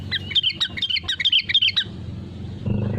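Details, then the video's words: Sooty-headed bulbul, played as a lure to make other birds join in singing: a rapid string of bubbly, downward-sliding whistled notes lasting under two seconds, then low rumbling noise. "BURUNG KUTILANG GACOR SUARA ASLI PALING AMPUH UNTUK PANCINGAN AGAR IKUT BUNYI GACOR"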